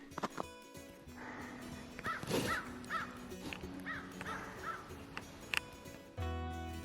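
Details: On a snowy day at Pinewood Reservoir, Colorado, a distant American crow gives six short caws in two loose groups of three, over a steady low rumble and some handling noise from a hike.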